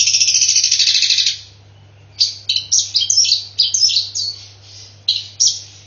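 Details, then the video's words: Long-tailed shrike delivering sparrow-fight mimicry. A dense grating chatter opens the clip, then after a pause comes a quick string of harsh chirps. A constant low electrical hum is present. "CENDET EDAAAAN ..!!! isian kok hanya gereja tarung"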